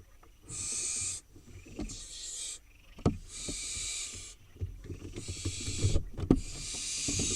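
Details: Wild barn owl fledglings on their nest box in Israel, waiting for food: five harsh, drawn-out hissing screeches of about a second each, separated by short gaps, with low knocks and thumps of movement on the box.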